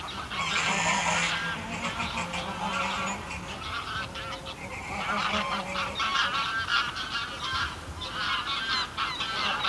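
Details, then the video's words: Greylag geese flock calling on the ground from medium distance: a steady chorus of overlapping nasal honks and cackles, some lower drawn-out notes, against a low rumbling background. "Greylag Goose. CU Flight Calls From A Small Flock. Then MD Calls Of Flock On Gro"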